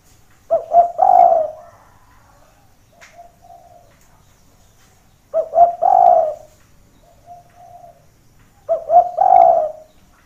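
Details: Spotted dove calling as a trapping lure that draws other doves down to what sounds like a rival: three deep, husky coo phrases about four seconds apart. Each starts with quick clipped notes, swells into a long rolling coo, and a soft faint coo follows.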